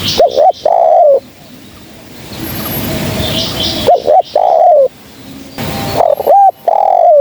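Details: Lure call of a spotted dove for trapping: three repeated cooing phrases, each a short hiccuping double note and a longer falling coo, separated by gaps with soft background noise and distant chirps.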